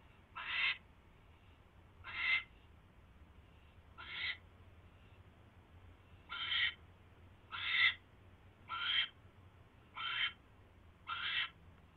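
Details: Owl with a mouse, 10:21 PM on 28 January 2016: eight brief, harsh hissing calls, irregularly spaced at first with a two-second gap, then faster toward the end, over a quiet steady hum.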